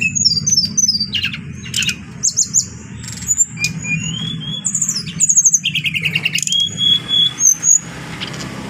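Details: Adult brown-chested jungle flycatcher kept by an owner, delivering a varied song of high whistles, buzzy trills and quick ticking series, notes repeated in rapid runs, with a low steady hum underneath.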